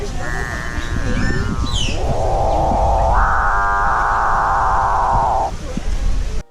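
A Capuchinbird gives a grinding, nasal buildup, then a long, hollow, mooing drone that steps up in pitch and holds for about three seconds over a low background rumble.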